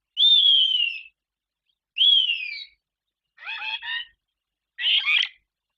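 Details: Barn swallows at their nest in Guangdong, China, in spring, returning to build nests and breed after wintering locally. Two long, clear whistled notes slide gently downward, followed by two short buzzy, stacked chattering bursts, about a second apart, in silence.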